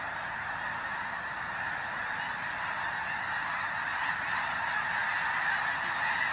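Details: Before the final flyout at Bosque del Apache, New Mexico, thousands of newly arrived snow geese join the resting flock on a freezing pre-dawn morning. Dense honking builds slightly louder, with higher yelping calls rising above the roar toward the end.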